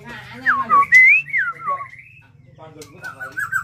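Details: Caged contest-quality white-rumped shama singing prolifically: clear whistled notes sliding down then up, a brief pause, then softer warbling phrases over a low indoor hum.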